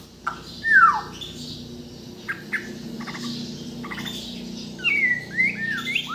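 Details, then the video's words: Kalimantan-origin white-rumped shama singing: a loud downslurred whistle, short clicking notes, then rising and falling swooping whistles after a quieter gap. "MURAI BATU BORNEO GACOR FULL ISIAN || AMAZING BIRD CHIRPING MURAI BATU"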